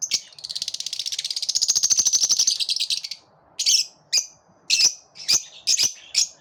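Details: Lovebirds singing together: a long rapid buzzy trill of fast repeated notes lasting about three seconds, then a pause and a series of short sharp high chirps spaced about half a second apart.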